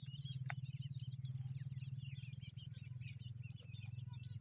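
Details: Grey francolin chicks, a partridge family group, giving dense, overlapping high thin peeps and short twittering chirps in constant succession, over a steady loud low hum throughout.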